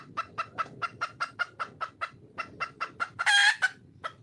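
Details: Red junglefowl hen, wild, calling to attract a male: evenly spaced sharp clucks roughly four or five per second, then one loud raspy squawk and a few more clucks.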